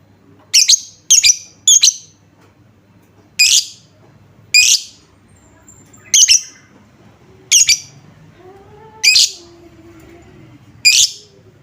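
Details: Lovebird lure sound intended to draw replies from other lovebirds: single shrill, piercing chirps, first three close together, then spaced every second or so, over faint background hum.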